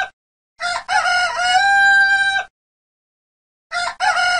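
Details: A red junglefowl gives one full crow, a brief choppy opening note and then a long, steady, raspy held tone about two seconds long. After a silent pause the next crow begins, with no background sounds.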